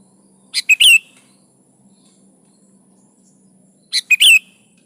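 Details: Sooty-headed bulbul singing vigorously (gacor), meant to prompt other bulbuls to reply: two matching bursts of chirp-chirp-whistle, each with a rising-falling whistled end, about three seconds apart over a faint low hum.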